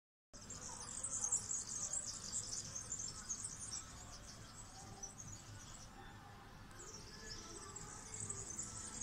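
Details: A male European serin sings from a high perch in a treetop to attract females: a very high, fast, jingling and buzzy twitter, almost insect-like, running on with a brief break. Low rumbling background noise.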